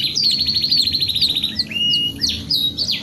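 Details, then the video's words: Canary singing steadily with a fast, even, high trill for over a second, then a flat whistle and a few sharp rising chirps. "TERAPI KENARI 2 IN 1 GACOR PANJANG | CANARY SINGING"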